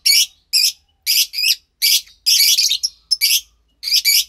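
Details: Two young lovebirds, expected to become pastel white and pastel light green, recorded March 3, 2021. They give a series of short, harsh, hissing squawks, often in doubled pairs, with brief silent gaps between them.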